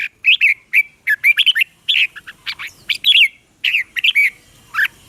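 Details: Red-whiskered bulbul song for training caged birds or for trapping: quick, bubbly whistled notes in short clusters, each phrase rising and dipping, with brief silences between groups.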